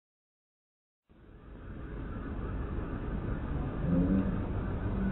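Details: A motor vehicle's low engine rumble starts after a second of silence and grows steadily louder, with no animal voices.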